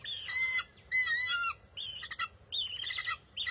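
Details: Young bald eagle at its nest in June, stealing back a fish its mother grabbed: loud, high squealing cries in long bursts, some strained and chattering, with brief gaps.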